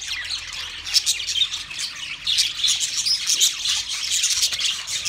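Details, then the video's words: Twenty pairs of budgerigars chirping together, a dense, continuous high chatter of overlapping squawks and twittering notes with no pauses throughout. "20 Budgie pairs chirping sounds"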